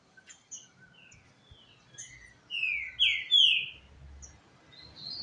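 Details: A captive Green-winged Saltator, brought to a rival male's home for a singing challenge, sings loud, rich, fast whistled phrases of strong slurred notes, with fainter chirps from other birds and a low murmur.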